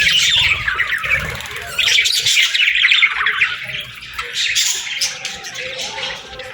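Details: Morning chirping of parakeets, a busy stream of high twittering and scratchy warbles, loudest in the first half and thinning toward the end, with faint low knocks below.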